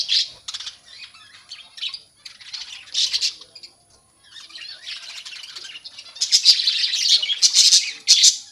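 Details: Budgerigar colony with baby birds out, heard close: harsh squawks and fast buzzy chirps in irregular bursts, a short pause, then a rising, busier wall of overlapping chatter toward the end.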